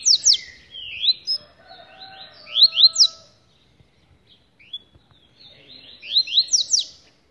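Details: Caged rusty-collared seedeater held by hand, singing phrases of quick rising whistles and warbles, a pause midway, then another burst of clear upslurred notes.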